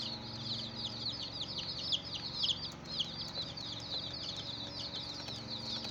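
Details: Brood of young chickens chirping in a crowd, sharp high peeps sliding downward and overlapping, briefly thinning near the third second before the chorus resumes; low hum underneath.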